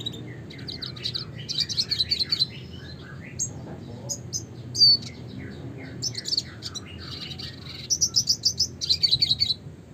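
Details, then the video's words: Classic red siskin song, a lively run of high chirps, rapid buzzy trills and twittering phrases, with bursts of repeated notes near the end over a faint low hum. "suara kicauan burung red siskin klasik gacor (spinus cucullatus)"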